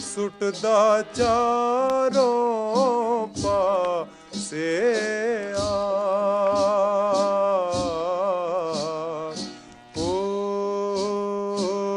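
Sustained male singing over a steady drone, with held tones and ornamented pitch bends, and no animal sounds.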